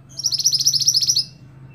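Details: Scarlet-backed flowerpecker, a cage bird used for teaching songbirds, gives a single dense, very high, rapidly pulsed trill lasting about one second.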